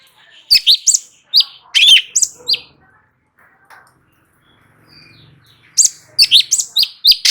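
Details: Light-vented bulbul in vigorous tutoring song to trigger responses from other birds; clusters of sharp chirps and slurred whistles, a quiet stretch midway, then a fast burst of notes at the end.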